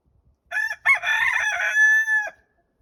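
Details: Araucana chicken kept at its owner's home, one of several call types used in different situations: a single loud, clear, harmonic call held for nearly two seconds, with a brief broken start and a steady, even tone to the end.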